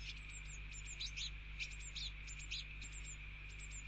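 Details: Eurasian blue tit fledglings begging their parent for food at a garden feeder on a rainy day: thin high chirps and short squeaky notes in quick clusters over a steady rain hiss and low hum.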